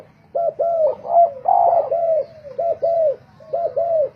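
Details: Cooing of spotted doves competing in song, kept as decoy birds: paired, rounded low coos repeated about once a second, with a fuller, drawn-out coo near the start and a quiet humming background.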